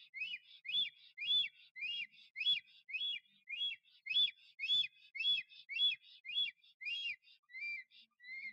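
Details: Courting black stork male showing off his nest in Notecka Forest, 12 April 2023, no female present: steady run of bright arched whistles, close to two per second, each with a buzzy upper edge, the last few softer.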